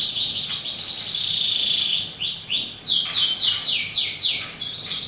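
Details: Canary song used as a lure recording to prompt other canaries to sing quickly: a dense high rolling trill for two seconds, then a run of rapid descending sweeps, roughly three per second, with bright overtones.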